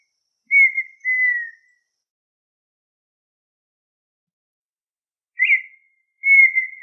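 A partridge gives clear, pure whistled notes near one pitch, in two pairs separated by a long silence; the second note of each pair is slightly longer. No other sounds.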